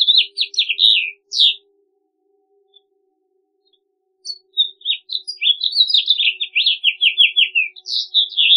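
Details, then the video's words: Cheerful House Finch warbling: a lively phrase of quick high notes, a silent gap of nearly three seconds, then a longer, accelerating series of chirps and downslurred buzzy notes. A soft low hum continues throughout. "I will show you the song and the main characteristics of the House Finch. Enjoy it."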